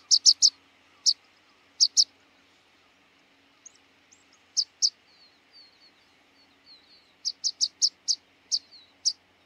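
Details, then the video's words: Rock pipit, a bird of sea coasts and outer archipelagos, giving sharp high clipped calls, mostly in quick pairs and triplets, with a quiet pause in the middle and a faint steady hum beneath. "Luotokirvinen - Anthus petrosus - Rock Pipit - skärpiplärka"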